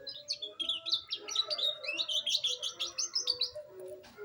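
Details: Juvenile canary beginning its rolling song, a continuous four-second run of high chirping and whistled notes with quick rises and falls, woven into a bubbling, pulsing stream.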